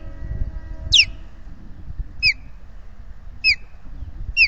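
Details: Alarm calls of a nesting osprey at Salt Point, Finger Lakes, reacting to intruders flying over the nest on 12 May 2021: four single sharp downslurred whistles spaced about a second apart, against low wind noise.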